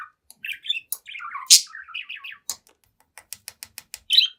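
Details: Seven-month-old budgerigar singing and chatting at a mirror, giving quick rising and falling warbled phrases, a loud harsh burst, then a run of dry ticking clicks and a final squeaky chirp.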